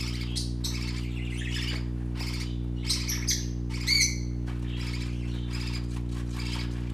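Young parakeets give scratchy chirps and harsh squawks in quick, irregular bursts, over a steady low electrical hum.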